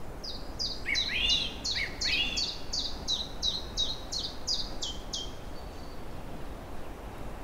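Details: Songbirds newly arrived in April, early spring, in forest and meadows by a river just freed of ice: a quick series of high, thin, down-slurred notes, about two per second, over lower swooping phrases early on, with steady background hiss.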